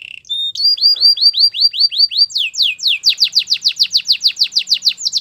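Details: Singing canary with a training song. A short buzz and a flat whistle are followed by a steady string of swept notes, then a faster, louder tour of sharply falling whistles.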